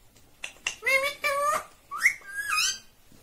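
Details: A talking parrot imitating the words "mummy" and "papa": two drawn-out, nasal, voice-like phrases with stacked harmonics, the second ending in bending, whistly pitch glides, in a quiet indoor setting.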